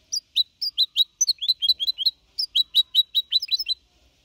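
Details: Young goldfinch hybrid aged four and a half months sings a clean Malaga copy song, 2021: a steady, rapid stream of high, slurred, tinkling notes, about five per second, with one brief gap.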